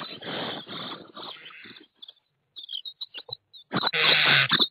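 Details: Common starling chicks in a nest box, filmed 24 May 2017 by an IP camera inside: harsh hissing rasps, a pause, a flurry of short squeaky chirps, then loud scratchy calling again.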